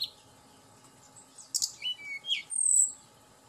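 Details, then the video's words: A Sunda blue robin sings a few clear whistled notes and a rising slur, ending in one long, very high thin whistle, over a faint steady hum. "Pancingan Tledekan Gunung Agar Cepat Emosi Dan Cepat Bunyi"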